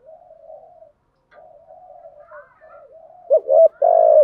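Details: Female spotted dove lure call used to attract wild doves, with thúc gù and gáy gọi phrases: soft low rolling coos for several seconds, then louder short hoarse coos and a sustained loud coo at the end.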